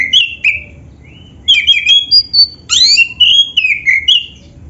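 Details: Oriental magpie-robin, black-breasted type, in energetic song used to prompt caged birds to sing: clear whistled notes, some rising and some falling, strung in rapid varied phrases with brief pauses.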